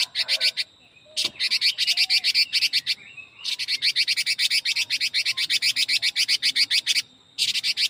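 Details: Chinese hwamei in a very fast song: long runs of quick, evenly pulsed harsh notes with brief gaps, over a faint steady high tone.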